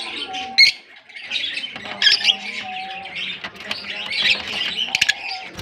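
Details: Shrill, buzzy chattering from a Larkana colony of African lovebirds runs continuously, with brief piping notes and occasional louder screeches rising above the crowd.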